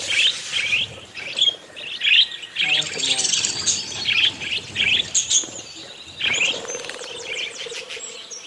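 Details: Close-up budgerigars, also called parakeets, kept as pets; repeated short chirping phrases roughly every half second, rising and falling, with a stretch of lower scratchy notes midway and continuous twittering.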